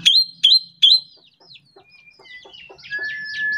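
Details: Ashy drongo at morning, singing to encourage other birds: three loud sharp upswept notes about half a second apart, then soft chattering and a thin level whistle.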